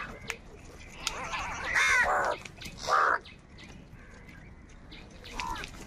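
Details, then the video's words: Angry crows fighting for food give two loud, harsh, rasping caws about a second apart. A fainter caw comes near the end, over quiet outdoor ambience with a few faint chirps. "কাকের ডাক Crow Sound Crow ki Awaz Loudly | Crow bird Fight for Food | Angry kauwa ki awaaz"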